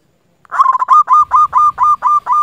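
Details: Local zebra dove used as a lure to provoke rivals into answering: a rapid run of about ten mellow, bubbling coos, each note evenly spaced and slightly rising, following a brief rough opening burst, with faint low rumble behind.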